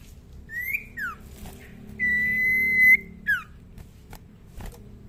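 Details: A young, tame common iora, its song still soft, gives a few clear whistles, some rising, some falling, and one long steady note, over a low hum and a few clicks.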